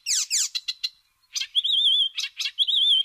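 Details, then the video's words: Icterine warbler (Hippolais icterina), a Russian forest bird, sings a fast, varied jumble of harsh chattering notes mixed with clear, wavering whistles, delivered in quick bursts. "Зелёная пересмешка / icterine warbler (Hippolais icterina)"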